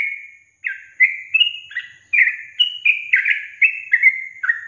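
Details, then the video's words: Sooty-headed bulbul singing as a lure for hard-to-start caged birds: a drawn-out whistle, a brief pause, then a quick chain of bubbly, warbling notes alternating up and down in pitch. "Pancingan Trucukan SUSAH BUNYI, BAKALAN dijamin dalam menit saja langsung NYAUT GACOR"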